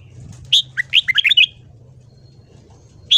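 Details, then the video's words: Red-whiskered bulbul morning song used for voice training: a quick run of six or seven sharp, chirpy whistled notes, then a pause and one more bright note, over a low steady hum. "Luyện giọng chào mào hót sáng."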